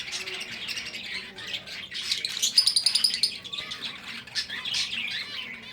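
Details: Several captive breeding finches chatter with many high, thin chirps and tweets overlapping in quick, irregular bursts.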